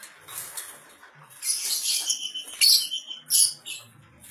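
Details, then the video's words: Red-headed lovebird singing: a rapid stream of harsh, high-pitched, buzzy chattering notes broken by sharp squeaky bursts, quiet at first and then louder and denser from the middle onward. "Kicau Love Bird kepala merah"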